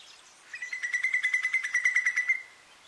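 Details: A Eurasian whimbrel at Quiberon, France, in April 2023 gives its rippling, whinnying titter: about fifteen quick, even notes at a steady mid-high pitch, lasting under two seconds, over faint background hiss.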